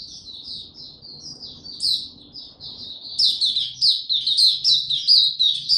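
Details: A young white-eye's maturing song from 09-02-2022, starting as soft rapid high twitters and building into loud, fast, sharply accented chirping phrases, several per second.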